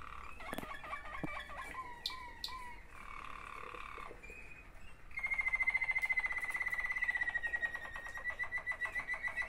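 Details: Song of Waterslager canaries, two brothers: scattered short chirps and a few mid-pitched flat tones at first, then after a brief pause a loud, dense rolling trill with a bright whistled line running over it.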